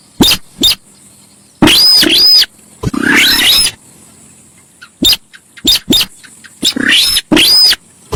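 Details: Very noisy Javan pied starling, called sintar sawah, for luring: sharp short ticks, then long harsh wheezing bursts with rising sweeps and high arched whistles, ending in a rapid series of rasps.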